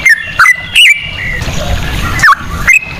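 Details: Trucukan (yellow-vented bulbul) lure song in cucak rowo style: a few separate, clear slurred whistles spaced by gaps of soft background hiss.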